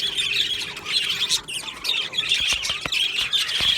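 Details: Budgerigars in an Australian budgie aviary colony, recorded on 22 June 2025, giving dense overlapping chatter of squawks and scratchy chirps, many birds calling at once with short clicks and flaps between.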